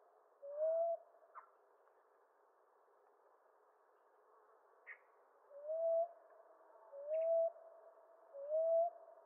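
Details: Rising cooing notes from a common ground dove: one coo, a pause of several seconds with faint clicks, then three more spaced about 1.4 seconds apart.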